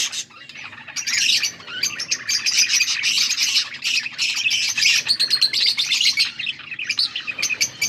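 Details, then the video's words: Budgerigars recorded August 14, 2024, a flock chattering in dense, busy chirps and warbles, with rapid overlapping high notes and scratchy clicks that barely pause for eight seconds. "Budgies sounds for lonely birds birds chirping sounds"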